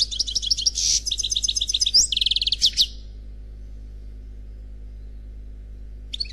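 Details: European goldfinch, an unpaired bird singing in the khalwi style: about three seconds of rapid, bright twittering with buzzy trills and quick chattering notes, then silence with a brief chirp near the end.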